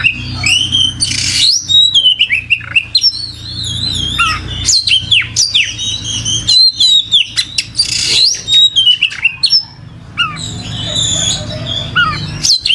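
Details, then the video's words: Lively oriental magpie-robin song, long and rich: warbled whistles wavering up and down, sharp downslurred notes and recurring buzzy rasps, delivered almost without pause, faint low hum beneath. "Suara Burung Kacer Gacor"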